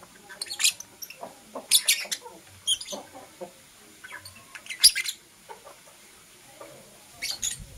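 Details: Morning chirping from Blue Opaline and Parblue Euwing Opaline lovebirds, shrill scratchy notes coming in irregular bursts every second or so, some louder doubled chirps, over a quiet background.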